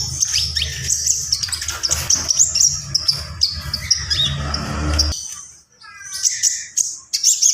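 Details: Javan pied starling in lively gacor full isian song: continuous high scratchy chatter with whistles, a short pause, then a quick stuttered series of notes and more squeaky phrases.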